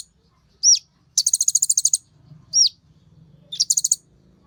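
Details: Sunbird song meant to set off Kolibri Ninja birds: a hooked high whistle, then a quick buzzy pulsed trill, repeated twice, in a quiet background.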